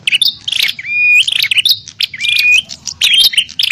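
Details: Bar-winged prinia calling aggressively, a lure sound for wild prinias: buzzy scolding notes with two long level whistles and quick twittering phrases.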